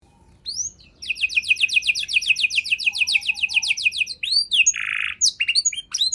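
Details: Canary song on a rich, varied tutor recording for training songbirds: a fast run of rising notes repeated nearly four times a second, then buzzy blocks and sweeping whistles.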